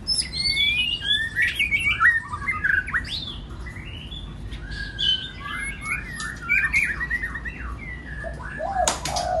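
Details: White-rumped shama singing, a recording for stirring other birds to sing; dense, rich warbling with rapid descending whistles and chatter almost without pause, a brief lull midway.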